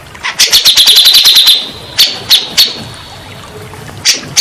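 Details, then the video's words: Grey-cheeked bulbul used as a lure for stressed birds that stop singing: a fast run of about twelve sharp, high chattering notes, then a few scattered clicks and a brief pause. "Terapi burung cak jenggot bahan / macet bunyi , setres pasti bakalan nyaut"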